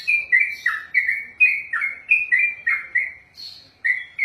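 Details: Sooty-headed bulbul (trucukan) in long-running ropelan song: crisp chirpy whistles with downward slurs, rattled off quickly, one higher sharper note near the end before the phrases continue.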